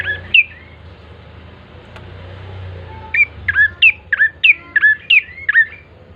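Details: Lure song of a bar-winged prinia, mostly quiet low hum at first, then from the middle a fast series of about ten sharp, bending high chirps.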